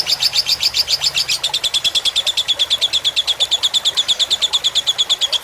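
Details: A lovebird's fighter song from a tutor track with water sounds: a brief higher burst settles into a steady, quick series of sharp, metallic chirps repeated evenly for several seconds.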